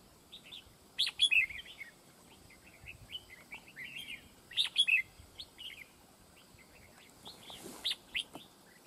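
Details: Red-whiskered bulbul decoy in a fight trap sings brief loud phrases of sharp whistled notes about every three and a half seconds, separated by soft chattering, with a faint rustling noise near the end.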